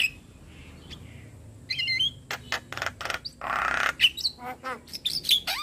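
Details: Javan myna singing in a master recording meant for training other birds: scattered harsh squawks, a hissing rasp and short sharp whistles, with a quiet background.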